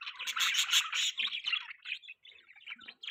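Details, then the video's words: Budgerigar chirping: dense, rapid chatter of scratchy warbles and squeaky chirps, loud at first and then breaking into shorter, softer bursts. "Budgie Chirping Sounds | Budgie Singing Sound | Budgie Beautiful Voice"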